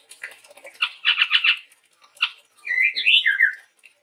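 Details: Chestnut-rumped babbler male singing strongly, a Sumatran forest bird: quick run of harsh chattering notes, a brief gap, then a bright whistled phrase that rises and falls in twisting loops.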